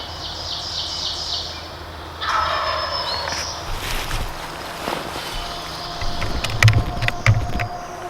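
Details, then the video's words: Big woods gobbler, a wild turkey tom hunted in Pennsylvania's 2019 spring season, lets out a brief, coarse, rattling gobble after high bird chirps, followed by rustling, thumps and clicks nearby. "Close encounter with a Big Woods Gobbler"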